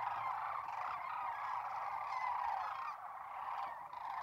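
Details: Flock of sandhill cranes in a corn field near North Platte, Nebraska, in March 2021; a dense, unbroken chorus of rolling, trumpeting calls from many birds, overlapping throughout with no pauses.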